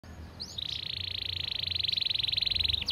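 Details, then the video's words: Canary in rapid, clear song with a long duration: a brief rising note, then a fast steady trill of close-set high notes held for over two seconds, ending in a few quick upward sweeps. "Masteran Kenari Gacor Speed Rapat‼️Durasi panjang dan jernih"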